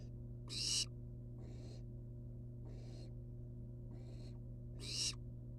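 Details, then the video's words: Loud, strident hisses from wild barn owl nestlings outside their nest box open and close the passage, with three quieter breathy hisses spaced between them. A steady low background hum is heard. "Barn owl nestlings hang outside of box."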